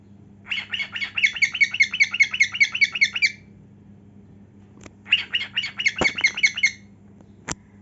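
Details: A cockatiel sings while dancing and flashing its heartwings. Two long bouts of rhythmic, buzzy chirping are separated by a short silence, and a few sharp clicks like taps or wing sounds break in.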